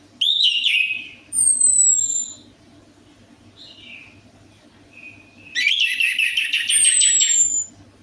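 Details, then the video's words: Orange-headed thrush lure song meant to coax a reluctant bird into singing: rich warbling bursts at start and end, high thin descending whistles, and brief slurred notes between, over a faint low hum. "DENGAN PANCINGAN ANIS MERAH AMPUH INI, ATASI SUSAH BUNYI ANIS MERAH"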